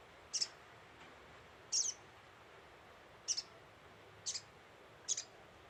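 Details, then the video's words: Lure call of a little spiderhunter (sogok ontong): five piercing, high, clipped chips, some doubled, roughly one per second, with a steady faint hiss behind them. "Burung sogok ontong gacor pancingan"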